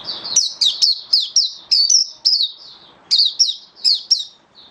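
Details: Oriental white-eye in captivity performing buka sing display: clean, high, rapidly repeated chirps, each sliding downward, delivered in two lively bursts with a short pause between.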